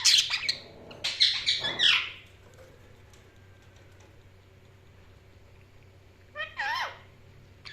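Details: Budgerigar chirping comes in a burst of sharp high squawks and chattering notes in the first two seconds, followed by near silence and then a brief rising-falling warble near the end.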